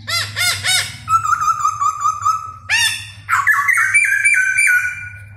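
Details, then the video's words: Caged laughingthrush singing while dancing: loud arched notes repeated, then long sustained wavering whistles broken by sharp upsweeping notes, ending on a higher held warbling tone. "CHIM KHỨU CĂNG LỬA II HÓT - MÚA HAY"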